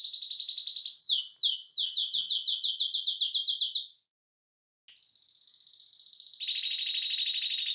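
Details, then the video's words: Male canary song, described as an excited male wanting to mate and played to a male that does not sing; steady high trilled phrases, a run of repeated sweeping downslurred notes, a short pause, then buzzy high rolls dropping in pitch. "عندك ذكر كناري لا يغرد اسمعه هذا التغريد وشاهد بنفسك"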